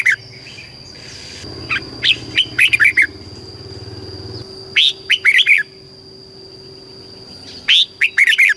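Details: Caged red-whiskered bulbul in Thailand, southern master-style song for stimulating birds and teaching chicks. Three groups of bright, quick whistled notes about three seconds apart over a low rumbling engine and a steady high whine.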